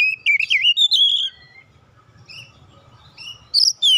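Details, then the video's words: Kacer (oriental magpie-robin), an untrained bird set off into vigorous song: quick, loud, rising and falling whistles for about a second, then near silence with faint distant notes, then two more sharp, high whistles. "KACER BAHAN TERPANCING LANGSUNG GACOR"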